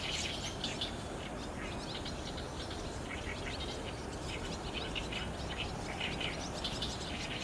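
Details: A flock of barn swallows coming in to roost under cloudy skies on 30 June 2019, caught on a digital SLR: continuous busy twittering from many birds, thin rapid chirps, some louder bursts near the end, with steady low noise beneath.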